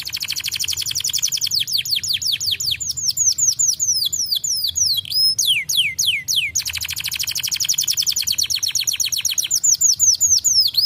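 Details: Canary song used to stimulate other birds to sing: strings of clear whistled notes sweeping downward, repeated in fast series, broken by rapid rattling trills and a brief upward slur near the middle.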